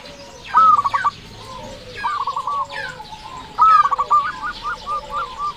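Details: Local zebra dove singing vigorously, played as a lure to draw replies from other zebra doves. Stuttering, ringing coo phrases open with rapid staccato notes that run into a rolling trill, repeated twice.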